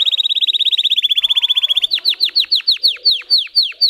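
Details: Singing Russian canary, a breed whose song strings together high tone variations: a fast, steady rolling trill for nearly two seconds switches to slower, loud, sharply downslurred whistles repeated about five times per second.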